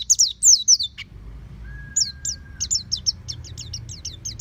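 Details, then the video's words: Home-kept oriental white-eye, trained to sing 'ngeplong' with its beak fully open: a loud opening phrase of high twisting whistles, a brief steady tone, then an even series of quick, falling chips; light hum behind. "Terapi Pleci Rumahan Agar Cepat Bunyi Ngeplong Full Buka Paruh"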